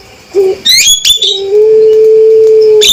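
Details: Loud, sharp male Javan myna call, known for being clear and distinctive: a short low whistle, then a burst of high, harsh chirps, then a long, steady low whistle held for about one and a half seconds, closing with a sharp high note.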